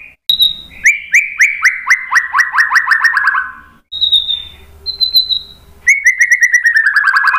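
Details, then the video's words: Long rapid series of repeated upswept whistles from a white-rumped shama, then two high thin drawn-out whistles, and another fast repeated run; recorded as a lure to draw responses. "KICAUAN MURAI BATU memancing BUNYI jadi NYAUT GACOR NGEPLONG BONGKAR ISIAN"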